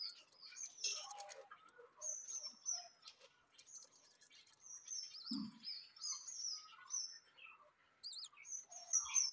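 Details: Thin, drawn-out high whistles repeated every second or so from newly hatched budgerigar chicks at home, mixed with brief rising chirps and soft chatter, plus one low thump midway.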